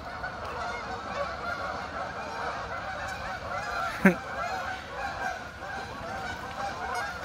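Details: Flock of geese massed together, honking in a constant overlapping chorus of nasal calls, with a sharp brief clack partway through and a low rumble beneath.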